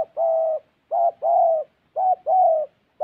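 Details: Close, clear coos of a decoy spotted dove in Gia Lai, Vietnam: each phrase a short note followed by a long, even, resonant coo, repeated roughly once a second.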